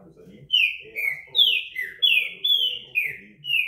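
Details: Green-winged saltator (trinca-ferro, pixarro), a good singer, starting after a short pause and pouring out about seven clear, descending whistles in a brisk, steady series over quiet background talk.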